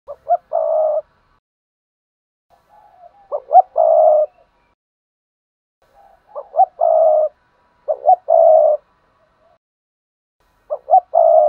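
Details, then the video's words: Spotted dove used as a lure bird to provoke other doves into cooing; low hoarse three-part coos around 500–1000, two short notes then a longer drawn-out coo, repeated in pairs with soft quiet coos between, no other sounds. "Tiếng chim cu gáy kích bổi nhanh nổi// cu gáy mồi luyện bổi nhanh gáy"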